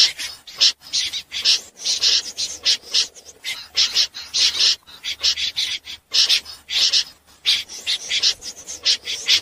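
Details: At night, a common snipe recorded for luring birds into nets: coarse, rasping calls in uneven clusters, repeated rapidly with brief pauses between groups.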